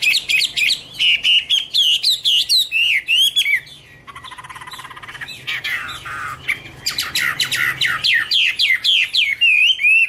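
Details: Hwamei (Garrulax canorus) in full song, loud rapid whistled notes repeated several times a second, a brief softer buzzy passage, then more quick ringing whistles.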